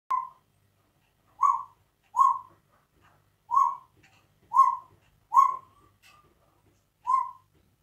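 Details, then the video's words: A pet African grey parrot barks like a dog in a home with no dog: seven short, hollow, mid-pitched barks at an uneven pace, with a slightly whistled tone. "African grey parrot barking like a dog"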